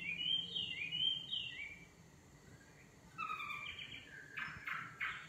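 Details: Faint nightingale song over background hiss: a few repeated whistled notes, a pause, then a lower whistle and loud harsh rattling bursts near the end.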